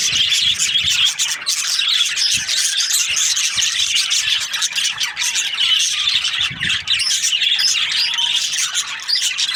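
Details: Budgerigar breeding pairs in loud, unbroken chatter: many overlapping high, buzzy chirps and warbling squawks keeping an even intensity throughout, with faint low thuds.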